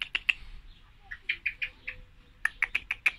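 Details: Female common blackbird giving short, clipped chirping notes in loose bursts, some single and some in quick runs of three to five, with brief pauses between groups.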